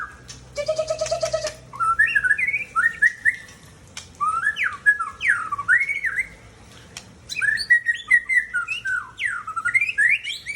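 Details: Mature male Aceh white-rumped shama from Tangse singing a varied run of rich slurred whistles, rising and falling, broken by a harsh buzzy rattle near the start and sharp clicks between phrases, in short bursts with brief pauses.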